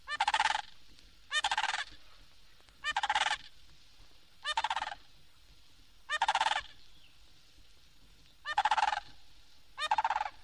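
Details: Florida sandhill crane, found in remote Kissimmee prairie and Everglades, giving its loud, rolling, trumpeting call in bursts about every one and a half seconds, each a rattling burr of pulses.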